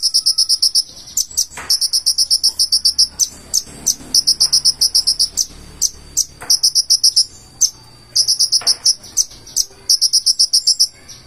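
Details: A purple-throated sunbird (Leptocoma sperata) in full song, with mimicked fill-in phrases, gives very high, thin, rapid stuttering trills in bursts with short breaks, sounding almost insect-like, over a faint background hum.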